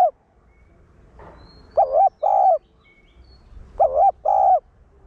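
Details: Decoy spotted dove singing the one-ending 'hậu gù' style meant to excite caged males; two clear double-coo phrases with wavering, slightly dipping tone, a trailing coo at the start and a soft rustle between.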